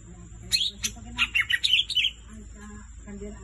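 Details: Green leafbird (cucak ijo) singing melodiously and energetically: a burst of varied, sweet whistled notes and quick slurred chirps lasting about a second and a half, then quiet with a low background hum.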